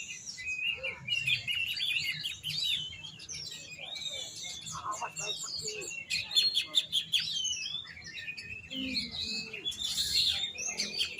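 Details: Caged oriental magpie-robin in Indonesia delivering a long, rich, varied song of sharp whistles, trills and chattering bursts with quick changes of pitch, with faint background rumble.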